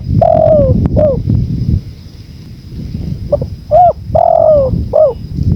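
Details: Spotted dove giving two cooing phrases, each a long descending coo flanked by short curved notes. A quieter gap of low wind separates them, with gusts beneath.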